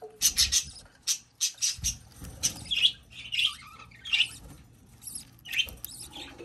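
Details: Newly hatched budgerigar chick begging: shrill, squeaky chirps in short bursts, some rising and falling, repeated roughly every half second, with soft low bumps and rustling between calls.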